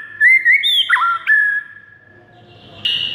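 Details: White-rumped shama song for training caged birds in the morning: rich rising whistles and a quick downward flick, then one long steady note that fades. A short rough burst comes after a pause.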